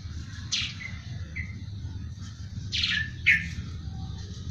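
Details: Eurasian tree sparrow giving a few loud, abrupt chirps spaced over several seconds, one early and a close pair near the end, with a short softer twitter between, over a steady low rumbling hum.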